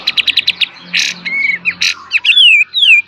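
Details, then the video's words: Kapas tembak master song in full beset and tembak style for cage-bird training: a brief string of quick high chips, then harsh bursts, a flat whistled note, and a long descending whistle. "KAPAS TEMBAK FULL BESET DAN TEMBAK | MASTER GURU BURUNG KICAU"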